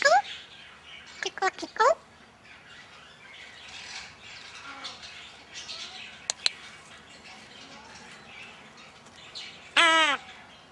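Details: Male pet Red-sided Eclectus parrot being tickled during a nursery rhyme. Several rapid rising squeaky notes open the clip, then quiet chatter and two clicks, ending with a loud, buzzy, harmonic squawk.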